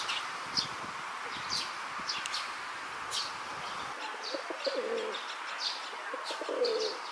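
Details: Rock dove male courting a female in a park, throat puffed, gives two low, throaty rolling courtship coos, each about a second long, with small birds chirping in the background and rumbling outdoor noise early on.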